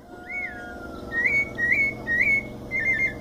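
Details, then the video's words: White-necked thrush with its mateiro-style song, São Paulo state, Brazil. Four or five similar rising-then-level whistles repeat about every half second over a steady low tone in the background. "Sabia coleira canto mateiro SP"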